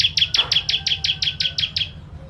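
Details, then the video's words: Bar-winged prinia (ciblek), 'kristal' type, singing in the 'tembakan' style used for training contest birds: a fast, even string of about eleven sharp, high chipping notes, fading slightly toward the end, over a low background hum. "Ciblek Kristal Tembakan Pedas"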